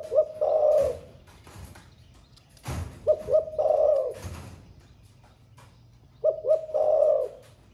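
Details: Caged spotted dove singing in the Thổ Pha style, said to coo all day: three coo phrases, each two short clipped notes then a long rolling low coo, about three seconds apart, with clattering knocks between.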